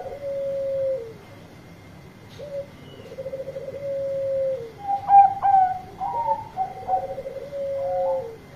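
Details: Loud song of a Bangkok-type zebra dove calling to its companions: long low buzzy trills alternate with sharp higher staccato coos that rise and fall in bursts, with a steady thin background whine.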